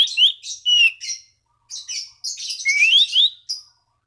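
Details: Orange-banded thrush song for calling rivals: a busy, continuous mix of scratchy chattering notes and clear slurred whistles, including a rising whistled run near the end.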